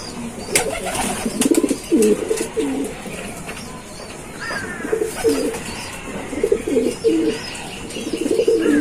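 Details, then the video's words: Giribaz pigeons cooing: repeated low, throaty, rolling coos in several short bouts, with sharp clicks early on and some faint higher chirps. "পাগলা কবুতরের ডাক🔥| কবুতরের ডাক | Pigeon Sound"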